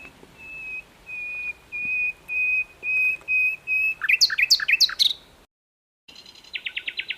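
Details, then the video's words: Asian brown flycatcher on a training track: a steady series of flat, even whistles repeated about every half second, then a fast rising-and-falling trill, an abrupt silent cut, and a short buzzy rattle. "MASTERAN BURUNG SIKATAN LONDO GACOR"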